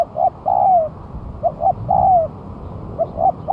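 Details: Spotted dove after moulting, singing as a lure: short paired coos leading into long sliding coos that drop gently at the end, repeated in quick succession with faint low rumble behind.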